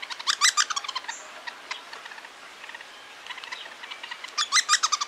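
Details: Hairy woodpecker, a father with red head slash feeding a fledgling in Toronto; sharp chirping calls in quick bursts at the start and again near the end, with a quieter stretch between.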